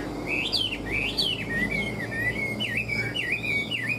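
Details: Chinese hwamei, caged and tame, singing ngũ trường: rapid whistled phrases that leap up and slide down, followed by a steadier chain of looping notes.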